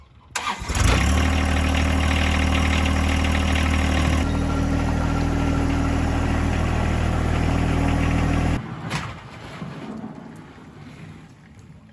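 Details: A car engine starts and idles with a steady low rumble for several seconds, then cuts off, leaving quiet background noise.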